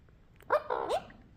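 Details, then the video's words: Alexandrine parakeet talking: one short, nasal spoken phrase of about half a second, two voiced syllables with harmonics, set among repeated words 'good morning'. "Alexandrine Parrot Talking"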